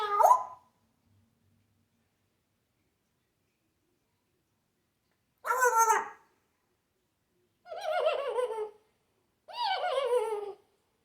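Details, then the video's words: Pet African grey parrot showing off its imitations, which include dog, cat, horse and duck sounds; one short harsh burst, a long pause, then three rough, barking, harmonic squawks about two seconds apart. "African Grey. Snoring, farting, coughing, yelling, laughing, Michael J, and showing off."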